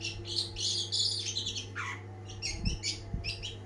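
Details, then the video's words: Long-tailed shrike (cendet) singing vigorously, a varied jumble of warbled high notes, a falling slurred call, and scratchy chips, with low thumping sounds and a steady background hum. "ocehan burung cendet gacor banget!!!"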